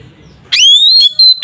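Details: Kacer, the Oriental magpie-robin, gives a fighting song meant to agitate other kacer. A single loud phrase opens with a sharp rising whistle that levels into a long high note, broken by brief gaps, over a quiet low rumble.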